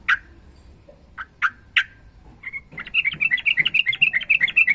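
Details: Sooty-headed bulbul, a bird kept for training other songbirds, in long-phrase song: a few sharp isolated notes, then a rapid run of bright warbled chirps repeating several times a second.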